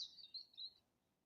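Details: April bird singing outdoors: a single high, thin trilled phrase, slightly falling in pitch and lasting under a second, then quiet.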